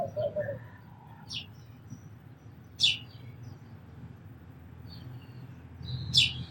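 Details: Sparrow calls among other birds: a few short, sharp high chirps spaced seconds apart, with a softer low note at the start and quiet background noise.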